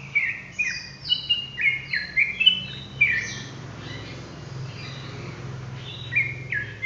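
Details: Sooty-headed bulbul singing ropel style: a fast phrase of bright falling whistles for three seconds, a pause with quiet background noise, then a few more notes.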